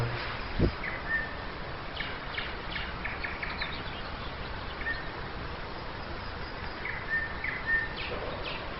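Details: Dawn singing of a nightingale in Nizhny Novgorod, Russia, May 2011: brief pure whistles recurring every few seconds between bursts of rapid repeated pulses, with a low thump early on and steady background hiss.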